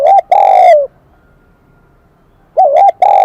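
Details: Bright, loud cooing from a newly caught spotted dove with the high Kim Đồng voice: a long falling coo, a pause of about two seconds, then a double note and a second sustained coo.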